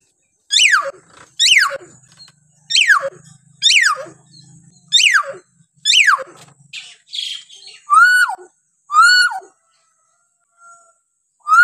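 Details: Hill myna call variations used as a tutor recording for young, stuck or quiet mynas: loud sharply falling whistles repeat about once a second, then arched rise-and-fall whistles near the end.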